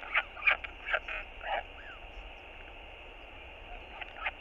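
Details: A northern royal albatross chick pesters its father for food at the nest: a cluster of short, harsh, nasal bursts, then a pause and two more brief squawks over soft background noise.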